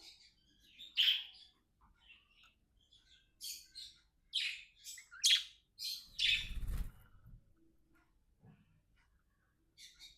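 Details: Companion pet budgerigars give separated sharp chirps and short squeaky notes with gaps between them. A brief low rumbling noise comes near the middle.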